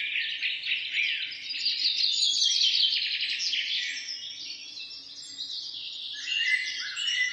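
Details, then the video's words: Morning birdsong in a forest by a road: many birds overlap in continuous high twittering and trilled phrases, with rapid repeated chirps and a faint low hum underneath. "begin your day with the positive energy birds singing"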